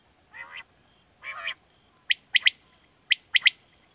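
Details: Quail lure call for night hunting in Pakistan: two low, nasal growling notes, then two clear triplets of short, sharp whistled notes a second apart, with steady background hiss.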